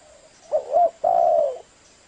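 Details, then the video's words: Spotted dove call used as a lure for trapping: two low, hoarse coos. The first is short and wavering, and the second is longer and steady, together lasting about one second. A faint high hiss sits in the background. "Tiếng cu gáy mồi chuẩn 100%"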